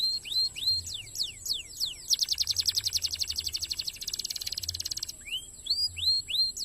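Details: Rapid, tightly packed canary song used to tutor competition birds: falling whistled sweeps open into a long, loud buzzing rattle of fast repeated notes lasting about three seconds, then upward-curving whistles resume; steady high tone and low hum underneath.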